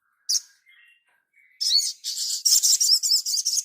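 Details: Crimson sunbird singing on a master recording meant to train birds: a single sharp high chirp, faint soft whistles, then a fast, dense, buzzy trill of high twittering notes building louder and continuing steadily.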